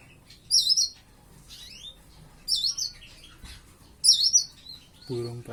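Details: Young white-eye (pleci), kept captive and about five months old, learning its song, delivers three bright, high, warbled twitter phrases roughly every 1.7 seconds, ending with a brief low, harmonic-rich sound.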